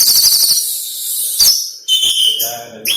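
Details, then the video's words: Kacer, or oriental magpie-robin, delivering lovebird-style mimicry: a quick rattling stutter, then a long high shrill chatter broken by clipped whistled notes and squeaky twitters. "Burung Kacer Isian Lovebird"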